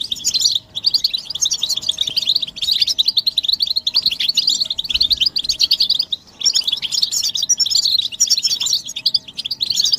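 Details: Collective twittering of European goldfinches meant to rouse males out of silence; a steady stream of bright, fast tinkling notes, broken by two brief pauses, several birds calling at once.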